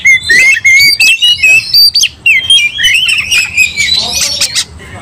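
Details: Oriental magpie-robin in a quick fighting outburst that stirs another magpie-robin to anger: a rapid run of clear whistles and harsh, scratchy squawks, with sharp pitch sweeps and dense bursts several times a second.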